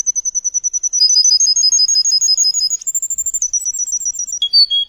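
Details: Canary (Serinus canaria) tutor song, meant for all young canaries to learn from: high, rapid trills of repeated notes, switching every second or so to a new phrase, some sweeping, some rolling lower near the end.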